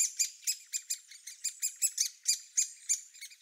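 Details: Great spotted woodpecker nestling, the last of the brood impatient at the nest-hole entrance after siblings fledged, giving harsh, scratchy high-pitched calls, three or four a second, in an uneven insistent run.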